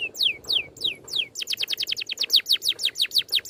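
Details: Oriental magpie-robin tutor song in 'ngerol' style: four slower, loud downslurred whistles, then a rapid, evenly paced volley of short falling notes, about six per second.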